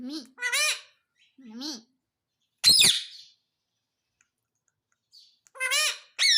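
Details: Pet Indian ringneck parakeet repeating "mummy": several short, tonal, rising syllables in pairs, broken by one harsh, rasping squawk, with quiet gaps between.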